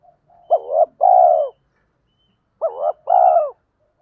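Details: Decoy spotted dove calling to stir other doves into cooing. It gives two matching phrases about two and a half seconds apart, each a clipped double coo followed by a drawn-out, buzzy, gently falling coo. No other sounds.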